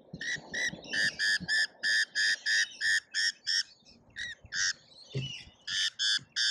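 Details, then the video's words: A feeding frenzy of lorikeets at an Australian feeder: a fast, steady run of loud harsh squawks, roughly three each second, with brief pauses and overlapping chatter. "Colorful Chaos Lorikeets Feeding Frenzy"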